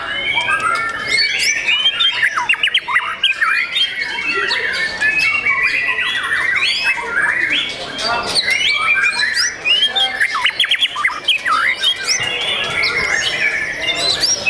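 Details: A young, privately owned white-rumped shama (murai batu) delivers a dense, nearly unbroken song of rapid, varied whistled phrases mixed with harsh, scratchy notes that continues for the whole stretch without clear pauses.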